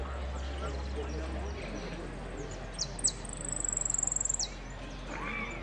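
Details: At a Piran finch singing contest, 25/09/16, a saffron finch entered as 'amarillo sin cierre' gives several piercing downslurred notes and a rapid high trill near the end, amid background talk and a low hum.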